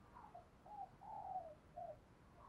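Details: Decoy spotted dove cooing to attract wild doves: soft, low coos in a phrase of short notes and one longer drawn-out coo, over a steady background hiss.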